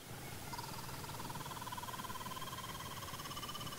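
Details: A kookaburra's morning awakening call beside the Turon River in the NSW goldfields near Sofala and Hill End: a rolling, rapidly pulsed chuckle rising slightly in pitch for several seconds, over a low rumble of wind.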